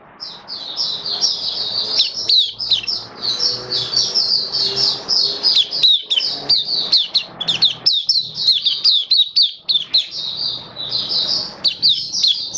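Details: Long, unbroken twittering song from a caged Oriental white-eye, October 2022: rapid, high warbled notes tumbling over each other for over twelve seconds above a low steady hum.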